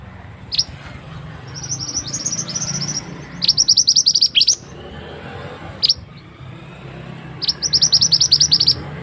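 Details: ['Tutor recording of a mantenan bird for teaching other birds, with quick strings of sharp, high-pitched chips in repeated short bursts, plus a few single notes between them and faint low hum.']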